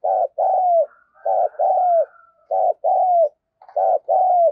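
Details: Spotted dove used as a decoy, cooing to call in wild doves: low, mellow paired coos, a short note then a longer falling one, repeated about every second and a half.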